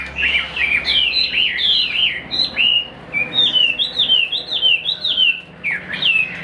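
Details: A fully tame caged Chinese hwamei, a good singer and fighter, sings freely, pouring out a loud, rich song of varied whistled phrases with rising and falling slurs repeated in quick succession without pause.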